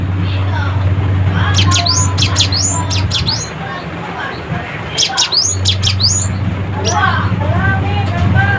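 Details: Cinereous tit, a lively chattering bird calling rivals: bursts of sharp, steep downward-sweeping chips and fast twittering notes in two clusters, with softer warbled notes near the end, over a steady low droning hum.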